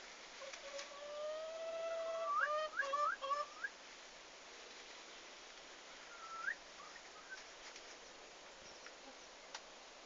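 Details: Newly arrived farm turkeys on their first day, 11 August 2015, giving long level whistled tones followed by a quick run of rising upslurred peeps, then a few softer isolated peeps and quiet.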